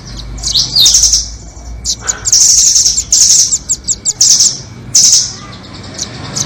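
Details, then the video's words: Nuthatches, a blue 'doraemon' type and a red-billed type, played as a trapping lure: high, shrill trilled chirps in short bursts, some with rising slurred notes, separated by brief pauses over a steady low hum. "Pikat burung rambatan doraemon vs paruh merah"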